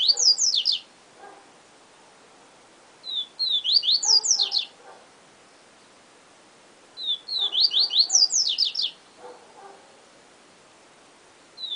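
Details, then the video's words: Yellow-bellied seedeater repeating its Siu Siu song about every four seconds, each phrase a rapid burst of piercing downward-slurred whistles, with soft low chattering notes after each phrase. "Papa Capim Siu Siu Professor"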